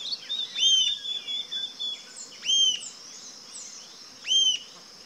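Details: Rufous-tailed jacamar (Galbula ruficauda) giving sharp, high, squeaky notes in three spaced bursts, with a steady high insect-like hiss behind.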